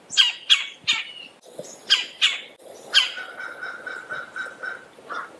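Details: Red-bellied woodpecker: harsh, rolling notes repeated about three times a second in short bursts, followed by a run of steadier, lower, tonal notes.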